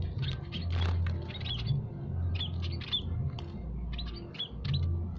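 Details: Aviary munias of Peking and Javan types calling without pause, with bursts of brief sharp chirps and small rising tweets from several birds over a constant low background drone.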